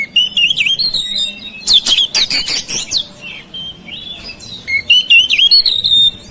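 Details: Oriental magpie-robin kept at home, singing to stimulate silent birds: rich whistled phrases, then a run of loud harsh scratchy notes, and finally more looping melodic whistles.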